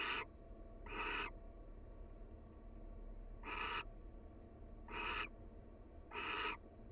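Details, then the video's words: Wild barn owls, a pair bonding and cuddling at their nest, give repeated harsh, hissing screeches about half a second long, five in seven seconds, over a steady low hum with faint regular ticking in the background. "Barn Owl Love: Sweet Pair Cuddle And Kiss"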